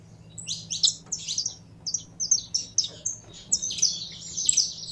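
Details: Saffron finch worked up to sing, known locally as canário da terra: bursts of high, sharp chirps and short buzzy notes in quick irregular runs, with a faint steady low hum underneath.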